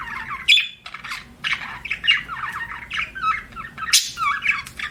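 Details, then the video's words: Budgerigar chirps and chattering squawks, choppy bursts of buzzy warbling with a few sharp high notes, heard indoors as pet bird sounds. "BUDGIE CHIRPING SOUNDS"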